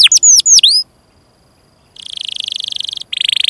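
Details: Canary song used to train young or silent canaries: a few sweeping whistles, a second of quiet, then a steady buzzy rolling trill that breaks off and resumes.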